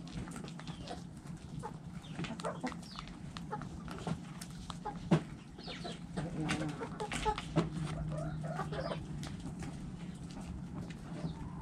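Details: Backyard hens and roosters eating in the coop; a dense flock chorus of short, sharp clucks and clicks goes on throughout, with a few louder squawks and a steady low hum beneath.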